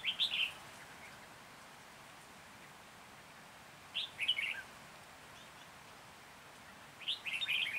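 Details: Decoy Red-whiskered bulbul singing to lure birds into a trap, Hoa Binh, Vietnam, 14 January 2021: a short chirpy warbled phrase repeated about every three and a half seconds, clear and bright against faint background hiss.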